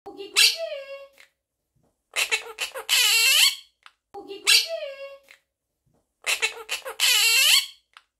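A Quaker parrot says "cookie" in a raspy, high, squeaky voice, repeating a two-part phrase twice with a short pause between.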